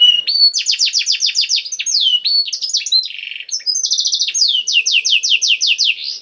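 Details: Singing canary, played to encourage kept canaries to sing: an opening whistle, then quick rolling trills of downslurred notes, a brief buzzy rattle mid-song and more rapid trilled phrases, with no other sounds.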